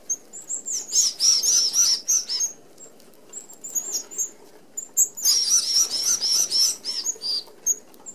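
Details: Red-browed finches, an Australian native, feeding as a flock at an open aviary-style feeder with small mesh; dense high thin chattering calls in two bursts separated by a quieter gap, with wing whirring and scattered single peeps.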